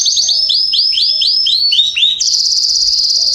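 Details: Canary singing in a garden, September 2020, a series of repeated downslurred whistled notes at a steady pace, then switching into a fast, bright, sustained rolling trill.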